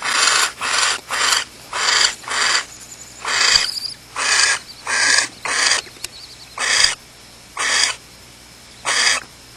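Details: Barn owl nest with chicks at Starr Ranch on a June 2010 night, just after the male mated and left. A steady series of rasping, hissing bursts repeats roughly every second, and the pauses grow longer toward the end.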